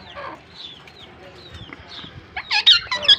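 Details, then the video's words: A pair of pet Pakistan ringneck parakeets interacting: quiet, scattered chirps and soft noise at first, then a burst of loud, harsh, rapidly repeated screechy chirps in the final second. "Pakistan Ringnecks Talk and Dance with Each Other || in like you chirping sounds in pair"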